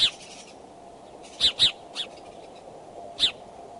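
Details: Courting bald eagles at the Decorah nest, morning of 2 February 2012; sparse high, sharp piping notes, some in close pairs, spaced over a steady faint hiss.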